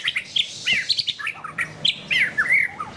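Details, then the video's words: White-rumped shama song made of quick, sharp, high chirps and slurred whistles in rapid succession, some notes rising and falling, with a soft background hiss. "SUARA BURUNG : Pilih Murai Batu Gacor"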